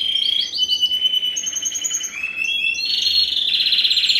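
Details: Song of an R1 hybrid, a Spanish Timbrado crossed with a wild canary, bred 2015, ring ST16: quick rising chirps lead into a smooth, whistled trill that drops in pitch, then a loud, buzzy, fast trill.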